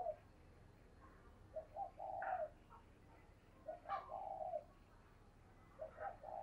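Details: Spotted dove used as a decoy, its call meant to stimulate wild doves: soft, hollow two-part coos repeated about every two seconds, heard faintly through steady background hiss and low rumble.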